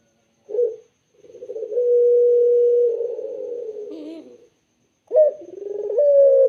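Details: Island collared dove with a clear, soft voice: a short opening note, then a long, even, sustained coo fading at the end. A fresh rolling coo starts after a short pause.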